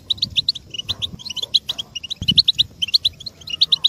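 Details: European goldfinch 'batbata', a group chatter played to make males sing and get ready fast; crisp, high tinkling notes in rapid clusters of about three to five, repeated throughout, with a low thud midway.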